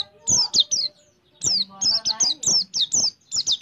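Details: Oriental white-eye (pleci) giving 'nembak' rapid-fire song with ciblek-style phrasing: crisp high down-slurred whistled notes in quick runs, a short pause after the first three, then a rapid string of about ten more.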